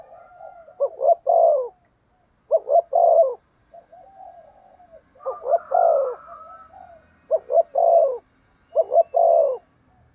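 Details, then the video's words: Spotted dove used as a decoy, 'thúc gù' coo: grouped phrases of two quick clipped notes then a drawn-out hollow coo, repeated every couple of seconds, soft murmuring notes and a faint high chirp between. "Chim Cu Mồi/ cu gáy thúc gù cực đỉnh kích bổi dợt mồi hiệu quả"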